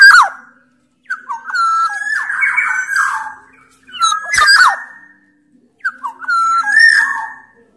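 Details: Black-naped oriole of the Sumbawa type singing strongly, used to prompt silent orioles to call. Phrases of fluted whistles with raspy overtones come in bursts, separated by short silences, one ending in a harsh crack.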